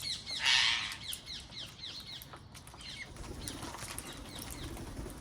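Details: Wild parrots calling in a garden, opening with a loud harsh screech, followed by a series of short down-slurred chirps and later fainter calls over a low background rumble.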